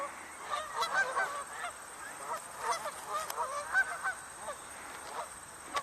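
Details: Canada geese on 30 September 2023 give repeated nasal honks, overlapping in a loose chorus of several birds, with a steady hiss of background noise.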